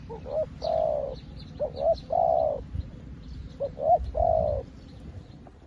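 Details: Newly kept decoy spotted dove calling wild doves: repeated three-part phrases, two clipped rising notes followed by a long rough coo, about every two seconds, over low rumbling background noise and distant bird chirps.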